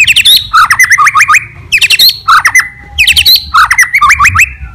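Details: A white-rumped shama delivers a loud challenging song to agitate other shamas. It repeats a harsh phrase of chattering clicks followed by a quick series of looping whistled notes, four times.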